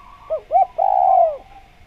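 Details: Spotted dove in full voice, a lure call for wild doves: two quick rounded coos, then one long falling coo lasting about half a second. A steady faint tone runs beneath.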